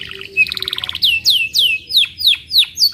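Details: Singing canary giving a short trill followed by ringing, high downward-sweeping whistles in quick succession, each one crisp and loud. Faint low hum underneath.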